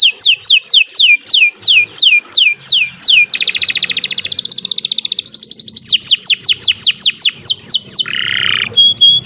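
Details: Canary in sustained song meant as a master for other birds: regular falling whistled sweeps, a dense fast trill, more sweeps, then a harsh buzz and short pure notes.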